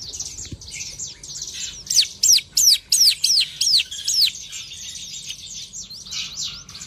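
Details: Long-tailed shrike singing while sunbathing in the morning: soft twittering, then a run of eight loud, sharp, downward-slurred whistles about three per second, fading into quieter chatter.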